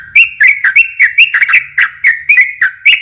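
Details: Prolific sooty-headed bulbul in rolling song used for luring other bulbuls; loud, bright whistled notes in a quick, slightly irregular series, each with a sharp clicky onset.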